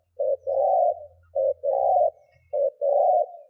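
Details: Decoy spotted dove giving thúc gù coos to lure wild doves: three quick pairs of a short note then a drawn-out coo, steadily repeated, with a faint low hum underneath.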